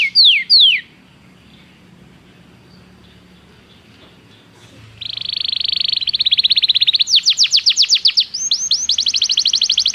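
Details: Training song of a Belgian canary: two brief sweeping notes, a few seconds of near silence, then a loud rolling buzzy trill followed by rapid repeated high descending whistles.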